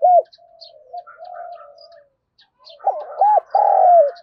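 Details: Spotted dove cooing to provoke fighting and draw in wild doves: a loud arched opening coo, soft trailing notes, a pause, then a rolling double coo ending in a long, level, falling coo, with faint high chirps of small birds behind.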